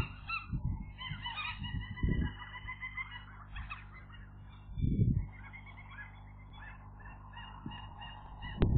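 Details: Gull chicks on the day they become airborne, giving overlapping nasal, honking calls almost without pause, over steady low rumble and occasional thumps.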